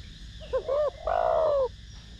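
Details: Spotted dove with a 'thổ đồng' voice coos to excite decoy doves: a quick pip, an arched hooting note, and a long, steady, gradually falling coo, all deep and mellow.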